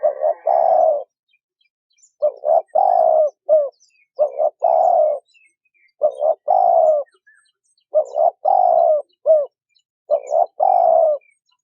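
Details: Female spotted dove calling to stimulate a male. Five or six phrases follow steadily, each a brisk double coo, a long gently falling croo and a short end note, in a quiet setting without other sounds.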